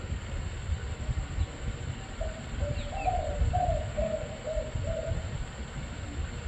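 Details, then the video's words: Spotted dove cooing: a short phrase of soft, hollow, low notes lasting about three seconds, partly masked by heavy low rumbling noise and a steady high whine. "Cu gáy"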